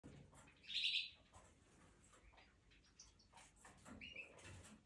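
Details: A European goldfinch in breeding season 2023, possibly in the Canaries, gives one loud, bright twittering burst near the start, then scattered thin, high chirps over a faint, hissy background.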